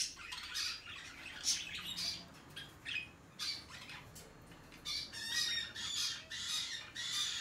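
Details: Hand-tame peach-faced lovebird, recorded 21 March 2020, giving harsh, shrill squawks in quick irregular bursts, some with thin whistled overtones, about every half second with short gaps between bursts.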